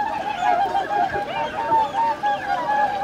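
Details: Swans gathered for winter on Lake Hyoko, Agano, Niigata, January 2022, about 2628 birds; short nasal honks repeated rapidly by several birds, a steady bugling chatter without pause.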